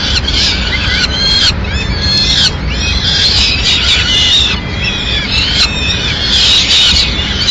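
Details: In Madrid on 6 May 2016 a female peregrine falcon brings a pigeon to the nest: grating, rising and falling screeches in short repeated bursts, constant low noise behind.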